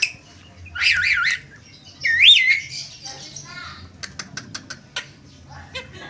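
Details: Javan myna (jalak kebo) in konslet gacor style with a few loud, wavering whistled phrases, a rising slurred whistle, then sharp isolated clicks and soft chatter.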